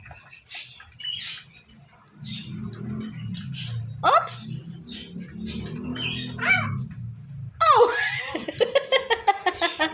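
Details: Pet Indian ringneck parrot that stays wherever its owner is, making scattered harmonic sweeps amid low background voices, then a closing run of rapid, evenly repeated chattering notes.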